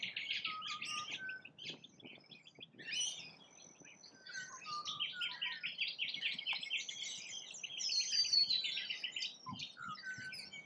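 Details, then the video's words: Feeding rainbow lorikeets in Australia keep up a steady, dense chorus of shrill screeches and chattering calls, with brief thin whistles mixed in. "RAINBOW #Lorikeets FEEDING"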